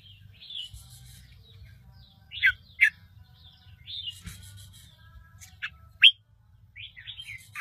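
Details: Bulbul chicks being fed by their mother give thin, high, squeaky begging notes in short bursts, with a few louder sharp chirps between, over a faint low hum; Bulbul.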